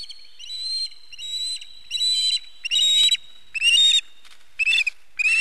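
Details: Osprey at a nest on 4 September 2019, as the male brings a fish: a series of whistled, harmonic, chirping notes in short bursts, a little over one burst per second.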